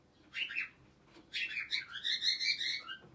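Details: Parrot uttering a brief squeaky note, then a longer run of loud, harsh, chattering squawks with rising and falling whistled tones, lasting nearly two seconds.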